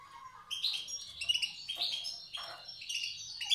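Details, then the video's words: Wild Tiaret goldfinch singing in the old song style: dense, tinkling and slightly buzzy twittering with short harsher notes mixed in, continuing without a real pause. "تغريد حسون تيارت( أداء الحسون البري اللغة القديمة)"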